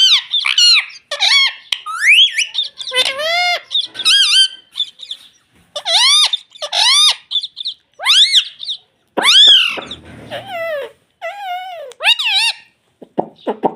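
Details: Indoor ring-necked pet parrot imitating "mummy": a long run of many squeaky arched harmonic syllables and chatter, delivered in quick bursts with brief pauses.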